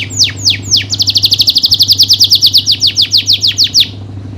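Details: Lively canary singing to teach and stimulate other canaries: three slow downward-sweeping whistles, then a fast, regular trill of bright high notes, about six per second, over a faint low hum.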